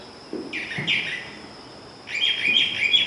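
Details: Brown Thrasher, a mimic said to sing over 2,000 songs, learning new ones constantly and usually repeating each phrase twice: short bursts of varied, buzzy phrases, the second burst higher and denser, over faint low background noise.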